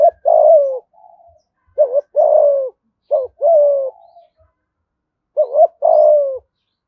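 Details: In the thúc gù style with a giọng thổ voice, a spotted dove from Dong Nai, Vietnam, coos four times, each phrase a brief two-humped lead-in and a longer mellow coo that drops slightly, with faint soft notes between.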